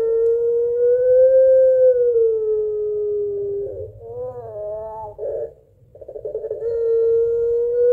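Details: Long call of a puter pelung barbary dove summoning its mate, used as a lure. A sustained tone rises slightly and falls over nearly four seconds, then a quavering glide and a burst of gurgling, before another steady tone starts.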